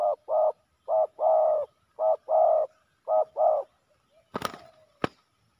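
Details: Male spotted doves fighting during ground decoy trapping: deep, mellow coos in paired short-then-long phrases repeated about once a second, ending with two sharp knocking clicks.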